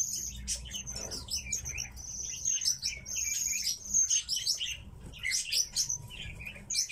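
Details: Pet tits twittering busily: dense clusters of very high, thin chirps and short sustained whistled notes, several birds calling at once.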